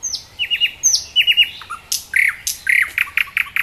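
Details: Nightingale singing in Dubki park, Sestroretsk, near Saint Petersburg: clear whistled phrases of falling notes, then quick paired chirps and repeated sharp notes, loud against a quiet background.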